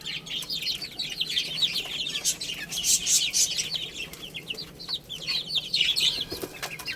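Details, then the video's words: Little chicks at play and feeding: a dense chorus of shrill, descending peeps repeated rapidly by several birds, mixed with dry tapping and rustling from pecking. "Cute Little Chicks Chirping Sounds| Baby Chicken Playing and Eating"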